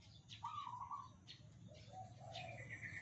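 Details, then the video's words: Two caged Sumatran red junglefowl crowing back and forth, cagemates that never fight. A first bird's short, level crow is answered a moment later by a lower, drawn-out crow. Scattered high bird chirps and low hum behind. "Ayam Hutan Merah kokok bersahut-sahutan"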